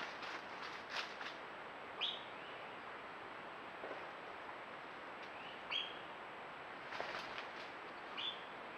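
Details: Great curassow, one of a pair startled at a rock-hollow water hole in Calakmul Biosphere Reserve, Campeche, where an ocelot was present, gives short, thin, high downslurred whistles a few seconds apart over faint rustling and forest hiss.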